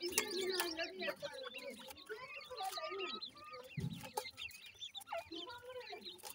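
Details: Grey francolin chicks, a bred flock, feeding: a busy stream of short, thin, high peeps and chirps, some rising and some falling, overlapping at a fast uneven pace, with a few soft clucks and murmured voices underneath.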